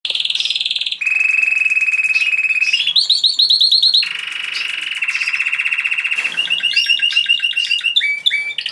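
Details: White canary singing to court a female before breeding: loud, high, sustained trills and rolls, each held one to three seconds, then switching abruptly to new trills and rapid chattering phrases.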